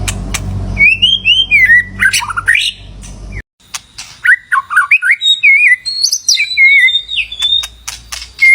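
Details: White-rumped shama singing to lure in a mate, a rich series of fluty whistles and quick slurred notes jumping between registers, with sharp clicks; low rumbling background fades after three seconds, leaving clean song.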